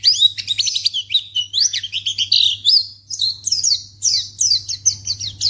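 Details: White-eye sound for luring other white-eyes into responding: continuous high, lively twittering of quick slurred chirps and short trills, rising and falling in pitch, over a soft steady electrical hum.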